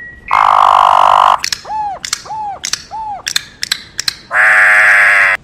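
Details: Campo troupial song used for teaching other birds: loud harsh buzzy bursts at start and end, between them three arched whistled notes and sharp clicking rattles.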